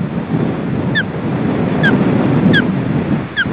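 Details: Osprey family at the nest on a very windy day, three young in the nest and parents bringing fish; four short, clear, downslurred whistled chirps spaced roughly half a second to a second apart over a loud, steady roar of wind.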